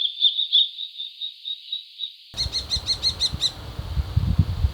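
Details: Common kestrel: a sustained high, slightly wavering tone for about two seconds, then a quick burst of about seven sharp repeated notes, with low rumbling noise beneath.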